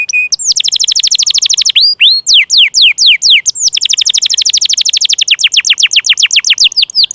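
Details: Canary song played to make stubborn or young canaries sing: a short whistle, rapid descending note series, several looping slurred phrases, then another long run of fast repeated downward sweeps.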